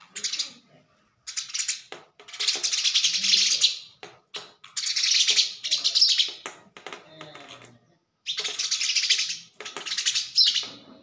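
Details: Thar desert sparrow attacking its mirror reflection: loud excited bursts of shrill chirps and chatter in repeated bouts separated by brief silences, with soft tapping and fluttering sounds between.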